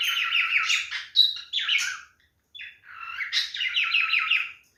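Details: Male cockatiel parrot calling in mating behaviour, indoors: loud, harsh warbling chatter of rapid buzzy trilled notes in two long bursts separated by a brief silence, with a short squeaky whistle between.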